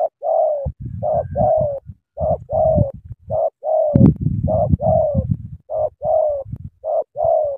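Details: Spotted dove in Cà Mau, Vietnam, cooing in the sắm thổ style: paired and single hollow coos repeated steadily, about one per second, over a rumbling low undertone and a single sharp tap.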